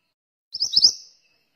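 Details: Pied bushchat in lively morning song used for training other birds: a short, twittering phrase of a few high, quickly slurred notes.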